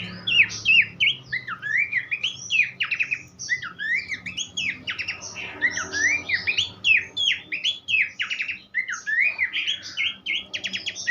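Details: Horsfield's babbler song used as a master recording for teaching other songbirds, a dense run of quick whistled slurs, chips and buzzy notes that repeat rapidly and irregularly with hardly a break.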